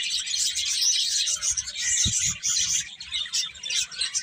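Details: Birds chirping in a dense, continuous chorus of high, overlapping tweets with no clear gaps, steady throughout, over a faint low rumble.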